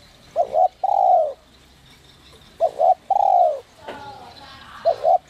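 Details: Spotted dove singing a clear 'giọng còi' voice, meant to stir other doves into calling. Each phrase is a quick doubled coo then a drawn-out falling coo, repeating roughly every two seconds, with faint chirping and a brief noise in between.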